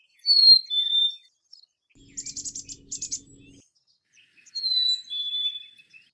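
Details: Two-note whistled phrase of a Black-capped chickadee, high falling to lower, then two quick bursts of buzzy pulsed notes over a low hum, and the whistled phrase again.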